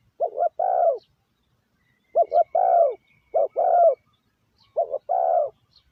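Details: Spotted dove used as a decoy to call in wild doves, giving four phrases at steady intervals. Each phrase is two quick clipped notes followed by a longer, husky, falling coo, in an otherwise quiet setting.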